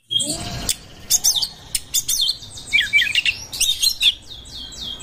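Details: Oriental magpie-robin in breeding condition, song meant as a lure for other birds. Sharp clicks and quick whistled notes come in short, uneven bursts over a steady background hiss.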